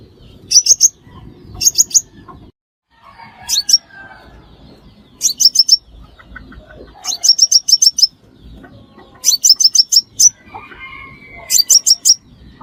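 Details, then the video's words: Crimson sunbird calls used to lure birds into traps: repeated runs of three to six thin, high chips, with faint warbling notes and whistles from other birds in the gaps. "Tiếng Hút Mật Xác Pháo Mồi Chuẩn Không Tạp Âm"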